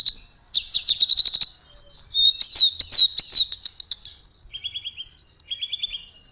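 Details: Tledekan (blue flycatcher) singing briskly: high whistled notes, fast rattling trills and swooping slurred phrases, then lower buzzy repeated chips near the end, with brief pauses between bursts.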